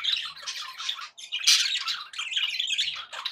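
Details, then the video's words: Budgerigars kept indoors chatter cheerfully, a thick, unbroken babble of scratchy warbles with a few thin whistled notes woven through. "happy budgie sounds"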